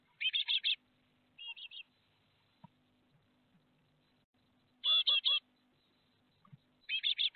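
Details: Great tit family in Théding, France, on 12 May 2021 as young birds fledge: groups of four rapid, rasping notes, then a long quiet stretch before further quick runs.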